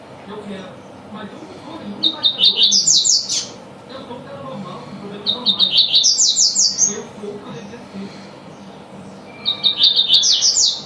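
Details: Tui-tui song of a double-collared seedeater, three lively phrases of short clipped notes rising into rapid, shrill slurred syllables, spaced roughly four seconds apart, with faint low background noise.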